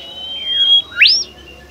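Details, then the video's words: Bimoli bird, a shy and rare species, in a lure recording: a sustained high whistle followed by a loud, sharply rising upward sweep, then quiet. "burung bimoli DIJAMIN NGAMUK dan GACOR dengan pancingan bimoli ini"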